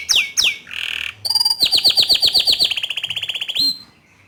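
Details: Bottle-green canary, a bold and loud singer used to train juvenile canaries: two sharp sweeping whistles and a harsh buzz, then a fast series of about twenty quick downslurred notes merging into a rapid trill, ending on one clear note.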